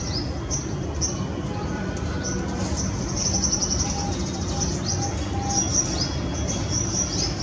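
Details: Shikra, a female calling from a perch beside her nest, Greater Noida, February 2017. Thin, high upslurred notes come in small bursts and irregular gaps, set against constant broadband noise.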